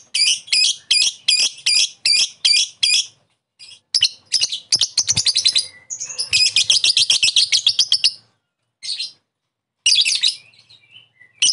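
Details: Lovebird calling as a lure to set off a rival's ngekek: evenly spaced sharp chips, then a long fast rattling trill of harsh, high notes and a few closing bursts.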